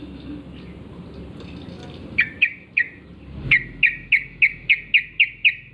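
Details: Wild yellow-vented bulbul singing vigorously in the morning: faint notes at first, then a crisp series of about ten strong downslurred chirps at an even, quick pace.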